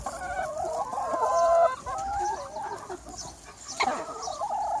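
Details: About 200 free-range chickens outdoors on a sunny spring day, a dense chorus of harsh, drawn-out squawking calls and quick clucks overlapping continuously, with a louder burst of calls late on.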